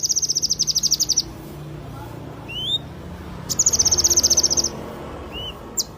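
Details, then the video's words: Yellow-eared spiderhunter singing energetically: two fast high trills of sharp, evenly repeated notes, each about a second and a half long, with brief rising whistled chips in between. "Sogon gacor tembakan mewah"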